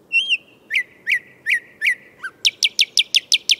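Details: Thrush nightingale in Moscow singing a phrase of rising whistled notes repeated about four times, a low note, then a fast run of loud clicking notes accelerating to the end.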